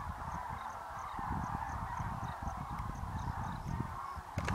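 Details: Common Cranes in a huge winter flock lifting off from the Kutch grasslands to roost in the evening, January 2013; a continuous wall of trumpeting from countless birds, with low thudding beneath and a sharp click near the end.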